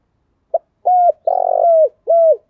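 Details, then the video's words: Spotted dove coo used to stir up other doves and draw out the 'thổ' voice: a brief opening note, a level coo, a long grating burring coo, then a final falling coo, clean with no background. "cu gáy kích bổi nhanh nổi giọng thổ"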